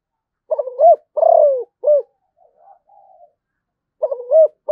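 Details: A zebra dove of the Malaysian type delivers one full song phrase, rapid broken notes then a long sliding coo and a short tail note. Faint soft notes follow before the next phrase begins.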